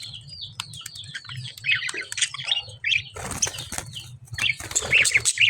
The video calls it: lovebird chirping sound satisfying